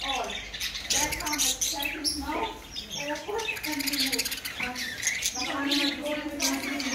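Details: Talking African grey parrot giving a run of short, voice-like syllables mixed with harsh squawks and bright high-pitched chirps, in bursts separated by brief pauses.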